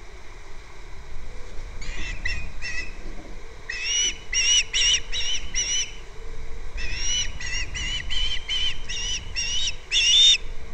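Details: An osprey on its Captiva nest, February 2nd, heard through a nest camera. Bursts of strained, whistled calls come in runs of several notes, pausing briefly and then resuming in a longer steady sequence.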